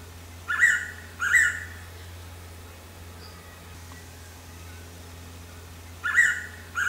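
A Blue-winged Pitta gives a loud, clear double whistle, two slurred notes, then repeats it after a few seconds' pause, over a faint low hum.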